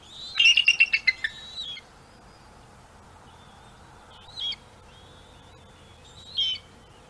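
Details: Bald eagle at a nest on Gabriola island, watched by webcam, during a prey dispute as an adult mantles food and a youngster waits to steal; a rapid burst of sharp, high staccato chirps, then two single squeaky notes after pauses.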